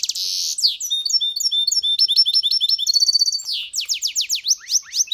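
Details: Caged mule goldfinch with a female goldfinch, mating in the cage: a fast, high twittering song of buzzy trills, rapid chirps and ringing notes. A run of steep descending whistled sweeps follows, with no other sounds.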